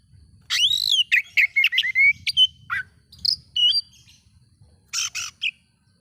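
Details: Provocative song of an oriental magpie-robin, aimed at other magpie-robins: a swooping whistle followed by quick chattering whistled notes, a few high thin tones and two harsh buzzy bursts near the end.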